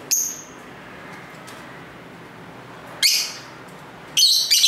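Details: Lovebirds chatting at home near a busy street: a short shrill note, a long quiet gap, then two bursts of harsh, high twittering chirps.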